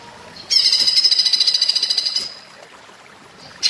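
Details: Song of a greater green leafbird (cucak ijo) in platuk bawang style: a sudden, intense, machine-gun rattle of high metallic notes lasting under two seconds, then quiet and the start of another burst.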